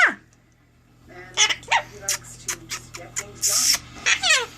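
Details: Adopted pet Quaker parrot indoors, chattering in a morning exchange: a quick downward whistle, a pause, then a run of short, harsh, buzzy bursts and clicks, with a steady low hum underneath and a person speaking nearby.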